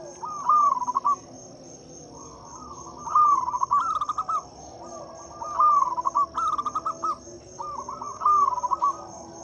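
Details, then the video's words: Local zebra dove lure song to draw silent doves into singing: five evenly spaced phrases of quick bubbling coo notes, each under a second, with a continuous high insect whine and brief distant chirps. "Suara PIKAT dan PANCINGAN perkutut lokal gacor untuk atasi perkutut bisu dan susah bunyi."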